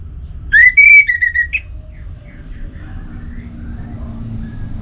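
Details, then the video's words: Orange-headed thrush from Singaraja, North Bali, played to draw song from other birds: one clear rising whistle that levels off and drops, then a short buzzy note, followed by low background hum. "Anis Merah Gacorr Untuk Pancinggan Burung Punglor Jadi NGeplong Bahkan Teler Kalau Jantan"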